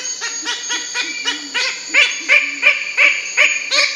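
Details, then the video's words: Nasal, honking bird-of-paradise calls, rapidly repeated about three per second and growing louder partway through, with each note rich in overtones. "Beautiful Voice and Color Of Bird of Paradise Cendrawasih"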